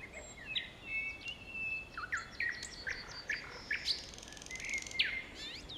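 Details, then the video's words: Evening song of a thrush nightingale, Kiili, 15 May 2017, 19:59: long drawn whistles alternate with quick sharp chirps and a rising note series, building to a loud slurred whistle near the end. "Ööbik Kiilis laulmas"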